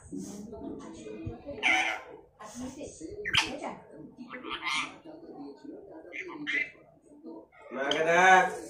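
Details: Indian parrot greeting another Indian parrot: short harsh squawks and bright chirps in bursts, mixed with low speech-like chatter, repeated across nearly nine seconds with brief pauses between calls.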